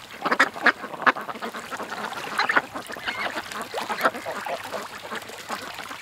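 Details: Ducks at a creek give a busy run of rough, nasal quacks. Bursts overlap and come in quick clusters, loudest near the start, over a steady background hiss.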